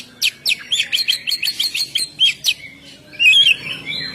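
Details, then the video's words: Oriental magpie-robin with the loud ngeplong song used for luring birds: a steady run of short sharp notes about four per second, followed by a warbled whistled phrase. "suara Kacer ngeplong"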